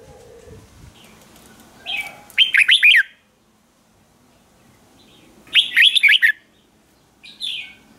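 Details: Lure-singing red-whiskered bulbul calling wild birds: two bursts of rapid, loud warbled notes a few seconds apart, each preceded and followed by a softer single chirp.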